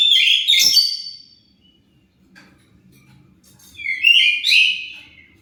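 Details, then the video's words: Oriental magpie-robin song meant to draw an answer from other birds: two loud, high, scratchy whistled bursts about three and a half seconds apart, separated by near silence with faint low rumbling. "Pancingan Kacer pasti nyaut"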